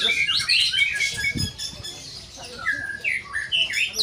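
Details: White-rumped shama singing: high chirpy notes early, a brief thump, then clear whistled slurs rising and falling in short phrases.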